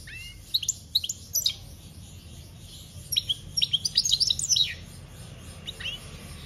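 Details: European goldfinch singing, scattered high chips early on, then a lively run of tinkling twitters around three to five seconds, with a faint steady high hiss throughout.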